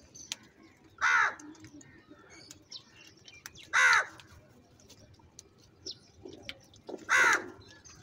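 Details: Crow calling while crows fight over food: three loud harsh caws spaced about three seconds apart, each a hoarse downward-bending burst, with faint chirps of other birds between.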